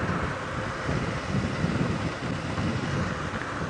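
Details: Wind buffets the microphone over a steady low vehicle rumble on a sunrise safari drive, with no animal voices.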